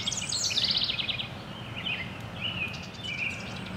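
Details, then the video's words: Wren singing outdoors on 5-3-24: a quick run of bright, high trilled notes, followed by shorter chirps and warbled phrases, over steady low rumbling background noise. "Wren Singing"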